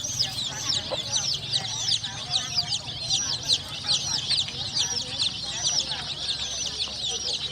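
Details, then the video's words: Many colourful chicks peeping without pause: dense, overlapping high thin cheeps, each a quick down-slurred chirp, crowding together into a continuous twittering chorus over a faint low hum. "Suara Anak Ayam"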